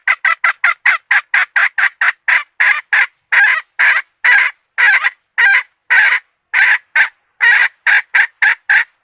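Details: Decoy red junglefowl hen calling to lure males: rapid, clipped, raspy clucks that start quick and close together, slow into longer spaced notes mid-sequence, then speed up again, over twenty notes in all.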